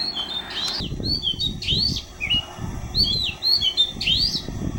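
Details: An Oriental magpie-robin sings a varied run of clear whistled phrases, some rising and some falling, at Mormugao Harbour, Vasco da Gama, over a steady low rumble of wind or handling noise.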